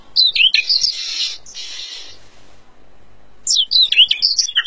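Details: A featherless Oriental magpie-robin sings a quick run of sweet, varied whistles broken by two harsh, hissing rasps, then resumes its bright, tumbling phrases.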